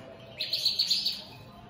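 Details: European goldfinch, opal split satinette colour variety, singing: a brief bright twittering burst of rapid high chirps lasting under a second, with quiet background otherwise.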